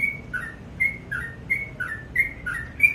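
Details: Short burst of sooty-headed bulbul morning song: crisp whistled notes, each high note followed by a lower slurred one, about three pairs a second.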